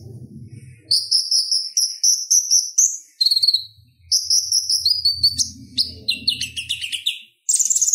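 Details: A purple-throated sunbird gives a high, fast twittering song of sharp, chattering phrases with brief pauses, used as a master song for other sunbirds; a faint low rumble runs underneath.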